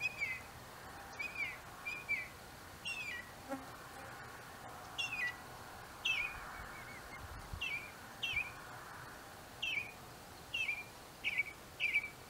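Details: Northern mockingbird singing in an apple tree, repeating a thin, down-slurred chip note roughly every second in loose pairs, fairly distant over soft ambient noise.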